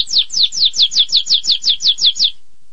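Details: Canary singing a series of about eleven sharp downslurred chirps, evenly spaced roughly five per second, then silence.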